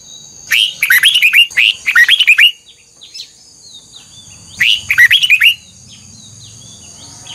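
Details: Red-whiskered bulbul in song training, delivering a strong double-note song: three bursts of rapid slurred whistles, two back to back then one more after a two-second pause, with a low rumble in between.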